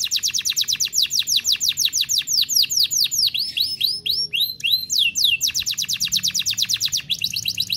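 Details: F1 canary in vigorous song as a master tutor recording. Very fast trills of falling notes alternate with slower arched phrases, then resume as rapid, loud, sharply pulsed rolls.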